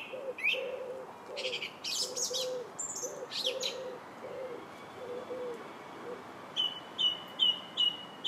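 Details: Song thrush song on a July day, a scatter of varied high whistles and buzzy notes, then a run of five quick repeated piping notes at the end; steady low cooing from a dove throughout.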